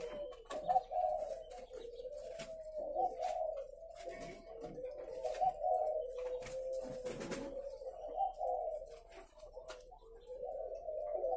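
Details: Captive spotted doves kept at a breeding farm in Ba Vì, Vietnam, producing a continuous wash of soft overlapping coos, each bird's phrase rising and falling gently, with occasional clicks and rustles in between.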